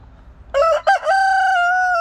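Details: Rooster crowing once: a loud, harmonic call opening with two short broken syllables, then a long sustained steady note held to the end, over quiet background.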